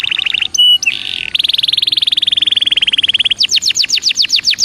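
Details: Belgian canary giving a soft fast trill, a harsh buzzy burst, then a long rapid rattling trill that slows into louder high swept notes.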